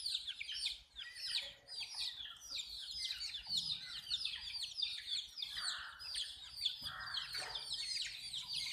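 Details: A flock of baby chicks at water keeps up loud, high, overlapping peeping, each note a quick downward slur, with faint thumps in the background.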